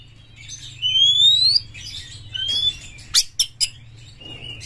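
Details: Aggressive Oriental magpie-robin (kacer galak) giving long, clear whistles that rise slowly, a shorter rising whistle, then three sharp, loud notes in quick succession over a steady low hum.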